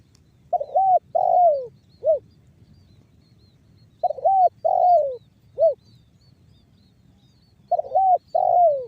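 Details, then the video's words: Spotted dove lure recording in banggo bocor style. Three repeated phrases of two short hooted coos, a long descending coo and a sharp final note, separated by quiet gaps of roughly two seconds. "SUARA TEKUKUR BANGGO BOCOR"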